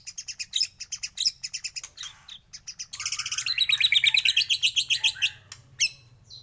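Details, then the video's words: White-rumped shama morning song used as a lure to prompt other shamas to sing: high, varied phrases of rapid chirps, then a fast rising-and-falling run of repeated sweet notes, ending in sharp upward sweeps. "pANCINGAN masteran pagi agar MURAI BATU gacor!!!"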